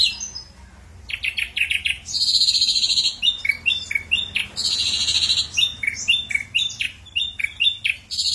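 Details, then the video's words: Varied ashy drongo song from a lure recording: buzzy, rasping bursts alternate with quick, down-slurred whistled notes in a jerky, irregular rhythm. "suara srigunting abu abu gacor"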